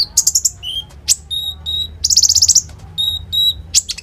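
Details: Lively common iora song used as a lure for ninja sunbirds. Sharp high chips and clear thin whistles alternate with a fast, even run of about ten shooting notes, over a low background hum.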